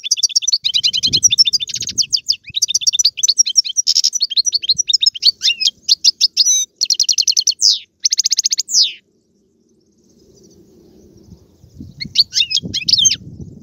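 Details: European goldfinch delivering Algerian galoubi, serfati and tiwawati song: long runs of quick high twitters and clicking trills that stop abruptly. A low background hum follows, then a final burst of twittering with low knocks.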